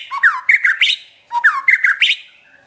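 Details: Champion white-rumped shama song of the trotol type: two matching bursts about a second apart, each a rising whistle followed by harsh, squawky, clipped notes that climb in pitch, in a quiet room-like setting.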